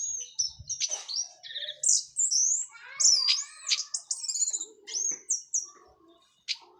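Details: Orange-headed thrush, local Cililin bird after moult, pouring out open teler song: dense run of high whistles, sharp slurred notes and buzzy chirps in rapid, uneven succession, nearly nonstop.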